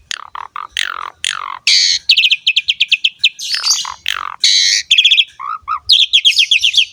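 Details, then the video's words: Asian pied starling in lively full song, used to train and lure other starlings: a varied medley of whistled notes, falling slurs, harsh buzzy bursts and rapid repeated chips mostly high-pitched, clean with no background noise. "JALAK SUREN GACOR ‼️ MASTERAN DAN PANCINGAN BURUNG JALAK PALING AMPUH"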